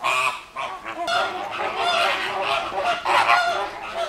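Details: A dense, continuous chorus of overlapping nasal honks from a noisy flamingo flock at the Llanelli Wetland Centre, Wales, in August 2021, with no pause in the calling.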